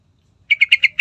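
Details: Sooty-headed bulbul in a recording used as a lure to get other birds singing: after silence, a quick series of five bright, slightly harsh notes repeated about every tenth of a second, the last cut off.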